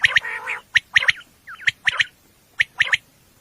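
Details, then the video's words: Night recording of a female common quail, used as a hunting lure: a harsh buzzy burst opens, then crisp three-note phrases of short sharp pips, spaced about two seconds apart. "batair ki awaz night batair sounds for hunting بیٹر کی آواز"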